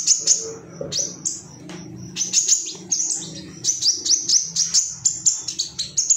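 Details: Excited male ruby-cheeked sunbird calling for rivals, used to make caged birds sing: sharp, high squeaky notes fired off rapidly, a brief lull, then a quicker string of piercing chips.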